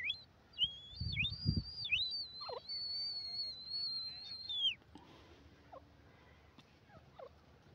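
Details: Grey francolin, female and male compared: a long, high, piercing whistled call with wavering pitch and brief downward dips, lasting nearly four seconds, then fainter short descending notes and quiet background.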